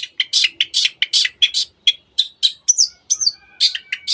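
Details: Long-tailed shrike in lively 'teot teot' singing, used to excite other birds into singing: sharp, harsh, high notes repeated in quick bursts, roughly twice per second, with some ringing whistled slurs toward the end.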